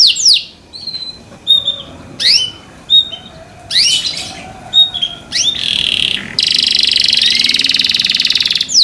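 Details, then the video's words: Canary song said to make other canaries sing along: separate bursts of sweeping chirps and short whistles with pauses, then a sustained rapid buzzy trill from about six seconds on. "THE SOUND OF CANARIES CAN MAKE OTHER CANARIES JOIN TO SING"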